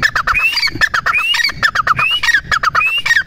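A partridge calls loudly in a fast, harsh series of clipped notes, broken up by rising whistled squeals that return about every three-quarters of a second.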